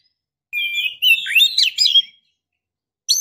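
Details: Female white-rumped shama in breeding condition calling to a male: a steady whistled tone rolling into a rapid, warbling string of swooping notes and chips, then a brief harsh note after silence.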